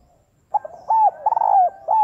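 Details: Female spotted dove cooing to stimulate males: after half a second of quiet, quick stuttered notes lead into soft rounded coos, with a long central coo and a final note cut short.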